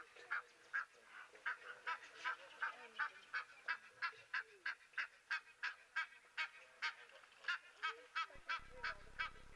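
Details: Egyptian goose calling on a live nature stream, on a cool morning after overnight rain: a long series of short, nasal honking notes, roughly three per second, slightly uneven in rhythm, with quiet background ambience.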